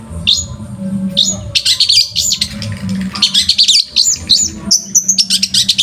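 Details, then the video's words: Long-tailed shrike, master song for training: rising whistled slurs, then dense clusters of sharp chirps and twittering notes, with a short clear whistle near the end. "MASTERAN BURUNG CENDET"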